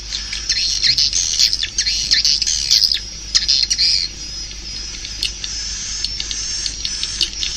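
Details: Swiftlet calls: a loud, crowded flurry of shrill chirps and trills in the first four seconds, then softer scattered twitters with a faint thin whistle running underneath.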